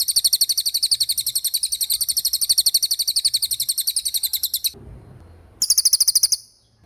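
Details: Racket-tailed treepie in energetic rolling 'gacor roll' song: a fast, even string of high buzzy trilled notes, about four a second, running unbroken for nearly five seconds, a brief pause, then a short final burst.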